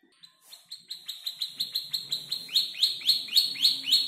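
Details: Young canary of around five months arranging borrowed tutor-bird phrases; rapid, steady series of high chirps that grow louder and broader over a few seconds.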